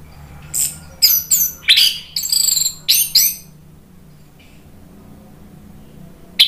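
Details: Orange-headed thrush lure song meant to rouse a bird into singing back: a quick burst of harsh, high scratchy notes and squeaks in the first three seconds, followed by near silence and one last sharp note.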